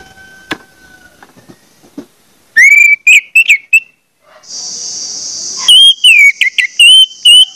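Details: Orange-headed thrush singing as a lure for other orange-headed thrushes: clusters of sharp rising and falling whistles, a burst of hissing, then more loud slurred whistles over a steady high buzzing.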